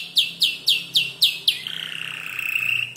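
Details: Five-month-old canary in song, learning to order imitated phrases of other birds. Six loud downslurred whistles repeated at a steady pace, then a long buzzy rattling trill.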